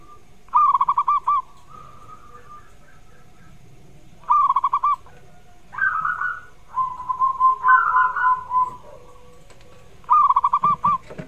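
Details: Zebra dove song meant as a prompt for a reluctant singer: crisp rapid stuttering trills repeat about every four to five seconds, with softer overlapping coos from other doves between them.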